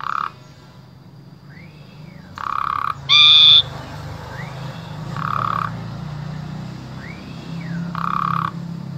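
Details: Asian pied starling from Wonosobo, Indonesia, a tutor for spotted starlings. Its song alternates low nasal buzzy blocks with soft rising-falling whistled arcs, broken once by a loud high buzzing squeal.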